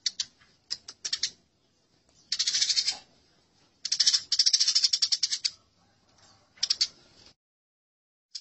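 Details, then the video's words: Burung gereja, the Eurasian tree sparrow, in a fight, from a songbird training recording: clustered scratchy high chirps, some dense chattering runs around a second long, separated by scattered quieter notes and gaps. "Masteran Gereja Tarung"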